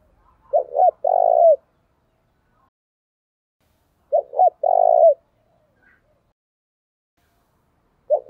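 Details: Decoy spotted dove in a cage, calling to urge rivals to fight: mellow three-part phrases, two clipped coos followed by a prolonged hoot, repeated roughly every 3.5 seconds in a quiet setting.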